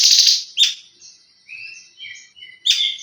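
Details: Leafbird in tembakan-style song, opening with a grating buzzy burst, then soft warbled and whistled notes, closing with another harsh buzz and chip.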